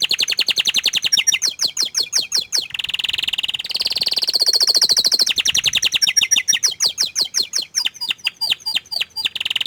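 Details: Loud canary song of fast repeated notes, moving through several trilled phrases at different pitches, some buzzy and some clipped and rattling.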